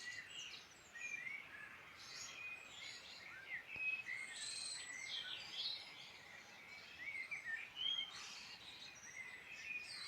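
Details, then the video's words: Birdsong in the Irish Midlands: dense chorus of several birds with overlapping whistles, trills and chirps spread high, continuous throughout, no single voice dominating. "Beautiful birdsong in Ireland Midland"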